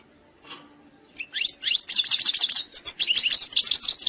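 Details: Algerian European goldfinch singing its eastern-sector style song without mistakes: after a soft rustle, a continuous stream of rapid, high, tinkling twitters and short trills runs unbroken for about three seconds.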